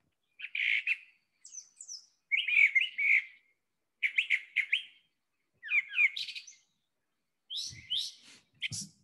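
A Brown Thrasher sings a string of varied, rich, chirpy phrases, each given in a quick pair, with short pauses between them.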